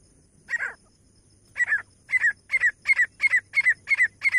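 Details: Grey francolin, Pakistani male and female teetar, played to attract birds for hunting: one rough opening note, a pause, then an accelerating run of paired, slurred notes repeated about three times per second.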